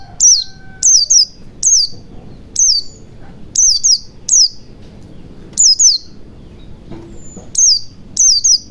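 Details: White-eye chirping in the wild ngalas style, used to get silent birds singing fast: bright, high, downslurred notes, frequently doubled, coming in an uneven rapid series with short pauses.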